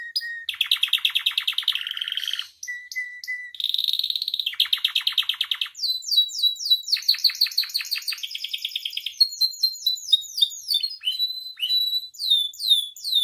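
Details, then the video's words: Full, varied song of a captive canary, recorded to train and provoke other caged canaries: loud rattling trills alternating with pure whistled notes, then long runs of quick down-slurred whistles repeated in series. "MASTERAN DAN PANCINGAN KENARI GACOR FULL ISIAN"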